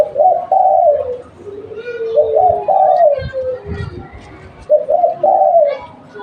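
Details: Local spotted dove kept as a lure bird, repeating two-part cooing phrases, a short coo then a longer falling one, with other softer coos and voices of people and children behind.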